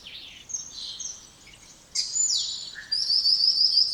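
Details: Varied spotless starling song: soft warbled notes, a sudden loud whistle that drops in pitch, a brief low note, then a long, high, quavering whistle.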